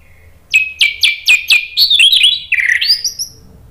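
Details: A captive Orange-headed thrush, used as a lure to get other birds singing back, gives five sharp down-slurred whistles at about four per second, then a rich tumbling warble of rising and falling notes, over a quiet low background hum.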